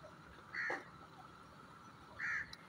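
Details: Grey francolin (teetar) giving two loud, harsh mid-pitched notes about 1.7 seconds apart, each lasting a quarter second, over a faint steady hum.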